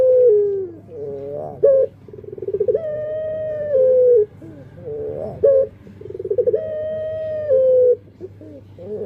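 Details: Puter pelung dove singing: two cycles of a short sharp note, a quickening pulsed trill, then a long steady level coo that dips at the end, about every four seconds over a faint low hum.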